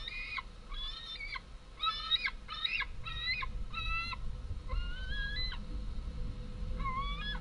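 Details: Fledged White-tailed eagle young, two large juveniles long since flown from the nest, screaming for food at their home nest on 11 August 2014 as females arrive with small prey; rapid series of thin, yelping, upslurred whistled screams, some drawn-out rising notes, over low rumble.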